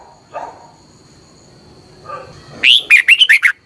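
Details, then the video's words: Red-whiskered bulbul song from Thailand, played for caged-bird training each morning: faint low murmurs first, then one loud quick phrase of five or six sweet warbled notes near the end. "นกกรงหัวจุก, 30 นาทีทุกเช้า เพื่อให้นกเรียนรู้ที่จะพูดได้อย่างรวดเร็วและหนักแน่น"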